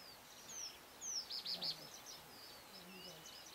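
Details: A southern masked weaver building its nest in Africa gives sharp, high chips and a quick burst of three scratchy chattered notes, with faint thin twitters after, over soft background hiss.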